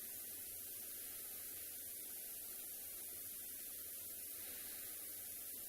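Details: Faint electrical hum and hissing static run steadily throughout a quiet afternoon safari livestream, with no animal voices present.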